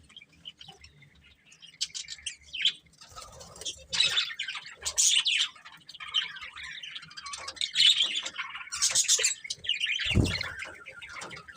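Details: Budgerigars kept as a pet family, chattering in uneven bursts of scratchy chirps and squawks, louder phrases every few seconds, with a low thump near the end.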